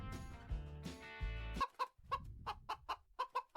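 A hen clucks in short, mid-pitched bursts, about eight in two seconds at an uneven pace, after a brief passage of music.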